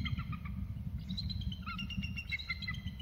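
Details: Bald eagles, both calling after one moved to the other's perch: brief, fairly faint high squeaky notes that step downward, against a loud low rumble.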